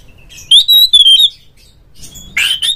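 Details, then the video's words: Oriental magpie-robin lure recording to provoke a rival: one loud pure whistled phrase holding nearly level, then a moment of quiet and a harsh scratchy burst. "suara pancingan burung Kacer agar CEPAT GACOR FULL buka ekor"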